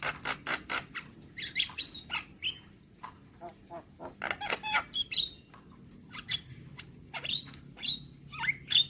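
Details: Javan myna song played every morning to train young birds: quick ticking and clicking notes interspersed with sharp high whistles and short twangy calls, over a faint low hum.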